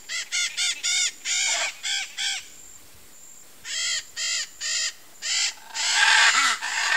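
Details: A nesting pair of blue-and-yellow macaws at their nest among trees gives harsh, raspy squawks in short bursts, several in quick runs, with a brief quiet gap mid-sequence.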